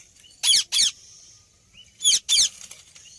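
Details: Rose-ringed parakeet giving loud, harsh screeching calls in two pairs of short bursts, each pair about a quarter second apart, with a gap of over a second between pairs; faint chirps from other birds in the background.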